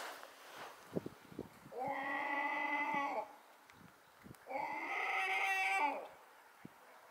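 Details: Gull screaming very loudly at a harbour on Rügen while a second bird follows and stays close: two drawn-out, harsh, harmonic-rich screams, each over a second long, with scattered clicks and light background noise between them.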